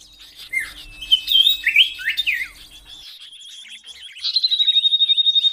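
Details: Common iora song in tembakan sirtu versi kenari style, meant for training cage birds: jumbled slurred notes and chirps, a quieter pause, then a loud level rattling trill pulsing about three times a second.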